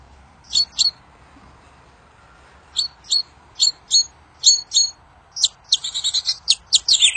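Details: Wild kincir angin bird, singing a song that reportedly gets other birds to answer fast: a pair of high chirps, a pause, then paired chirps accelerating into a rapid buzzy rattle.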